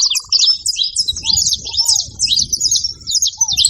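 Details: A group of saffron finches gathered at a feeding site keep up busy, overlapping high chirps and buzzy trill fragments throughout. A brief low rapid rattle opens the recording, and soft downward-curving low whistles recur in the background.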